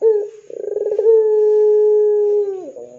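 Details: Ringneck dove used as a lure for other doves, calling in 'gacor dor' style: a short coo, then a quick pulsing rolled section flowing into a long smooth low hoot that dips sharply at the close.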